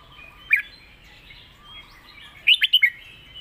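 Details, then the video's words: Red-whiskered bulbul 'master song': one lone sharp note, then a lively four-note whistled phrase rising and falling. Thin chatter from other birds continues underneath. "เพลงแม่บท นกเสียงทอง#เสียงนกกรงหัวจุก"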